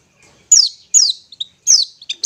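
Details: Long-tailed shrike ngetet song, played as therapy to draw out stressed or mute shrikes: three high, sharp downslurred notes about half a second apart, with short chips between.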